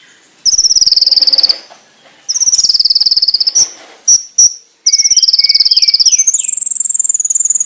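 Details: Master konin (brown-throated sunbird) song with sharp, clear shots: repeated fast buzzy trills about a second long, brief sharp chips between them, then a long trill that rises into a thin, high sustained rattle.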